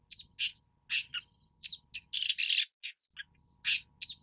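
Long-tailed Shrike giving a rapid jumble of harsh, scratchy bursts mixed with thin, sharp whistled notes, several per second. Only a faint low hum underneath.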